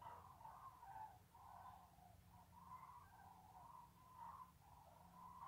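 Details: Cranes in February, spring messengers, call in overlapping, rolling trumpet notes from several birds at once, over a steady low rumble of wind or distant traffic.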